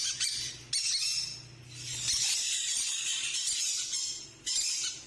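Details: Blue and green monk parakeets give harsh, raspy screeches in rapid overlapping bursts, a near-continuous grating chatter with brief pauses, over a faint low hum.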